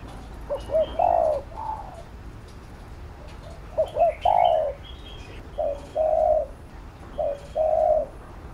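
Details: Spotted dove cooing to train a young captive dove: low, mellow phrases of two short notes then a longer drawn-out coo, repeated about every three seconds, with faint chirps from other small birds.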